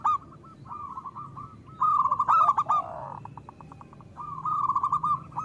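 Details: Loud-voiced local zebra doves used to stimulate other doves to sing: quick trains of short cooing notes, a louder cluster of overlapping coos and a descending slur midway, then another rapid cooing run.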